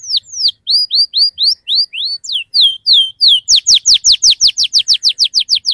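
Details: Sharp 'cuit cuit' canary song played to get young canaries singing: a string of rising, looping whistles at a moderate pace, switching to a quicker run of steep downslurred notes.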